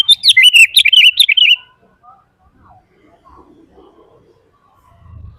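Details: Sooty-headed bulbul in full vigorous song, offered for training and luring bulbuls: a brief, rapid string of liquid warbled notes lasting under two seconds, followed by near silence with faint low rustling.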